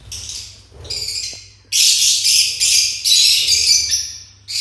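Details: Pineapple conure chicks begging with rapid, harsh, raspy high-pitched squawks, several in quick succession and nearly continuous through the middle, some softer rasps at the start.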